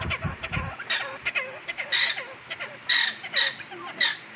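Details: Francolins at a breeding site make loud, rasping squawks repeated about every half second, over many softer overlapping clucks and chirps.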